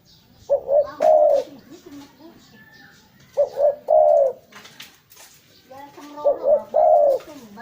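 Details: Spotted dove call for luring birds: three cooing phrases, each two quick low notes and a drawn-out hollow coo, a few seconds apart, with faint other bird chirps.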